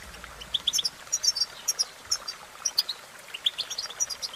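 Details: Twittering goldfinch song made of quick clusters of clear, high, pure chirps, sometimes paired or tripled, separated by short gaps, with steady faint background hiss.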